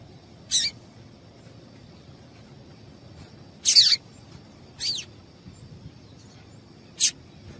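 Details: Short high piping calls of a female yellow-bellied seedeater, meant to stir a male into song: four separate chips, two with fast falling sweeps, spaced one to three seconds apart, over quiet background with a steady high tone.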